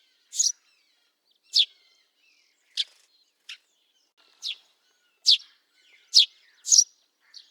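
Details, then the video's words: Eurasian tree sparrow recorded in the wild, repeating crisp high chirps roughly once a second, nine notes in all, some thin and clipped, others fuller, bunching closer together toward the end against a quiet background. "Eurasian Tree Sparrow – Bird Calls & Sounds"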